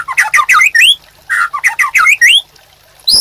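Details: White-rumped shama in full master song for caged-bird training: two bursts of fast, loud, buzzy rattling phrases with upward-sweeping whistles, separated by a short pause, with a sharp note starting at the end.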